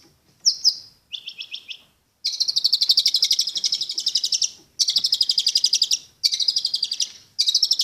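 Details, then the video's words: Long-tailed shrike song: a few short whistled notes, then long rapid trills of rattling, buzzy pulses repeated about four per second in several bursts separated by brief gaps. "Burung Cendet/pentet materi joss"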